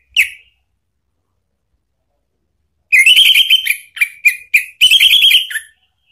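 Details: Orange-headed thrush 'pancingan ngeplong' lure song, played to make a pet bird respond: a single clipped note, a pause, then a loud run of strong whistled and chattered notes in several quick bursts.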